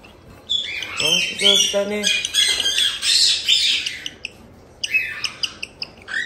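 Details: A harsh, grating 'jaa-jaa' chick cry comes from one-month-old cockatiel chicks raised by a breeder in Tokachi, Hokkaido. Hoarse squawks run in busy bursts and then short clipped calls, over a brief spoken remark early on.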